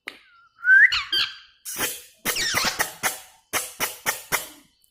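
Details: Talking pet parrot: a brief rising whistle, then a run of harsh, noisy, speech-like bursts repeated in quick succession, with short pauses between them.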